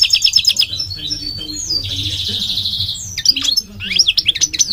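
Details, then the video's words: Migratory goldfinch singing quick twitters that run into a drawn-out nasal buzz, followed by sharp slurred chirps and more twittering. "The elegant migratory goldfinch sings the most beautiful singing"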